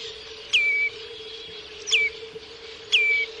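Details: Three piping, descending whistles from a common redshank (Tringa totanus), spread evenly across the passage, with a continuous low hum and light background hiss.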